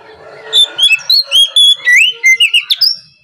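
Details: Morning song of an oriental magpie-robin, used as a lure to make other magpie-robins reply; a fast series of about twelve bright whistled notes, each a short slur, some rising sharply, over a soft background hum.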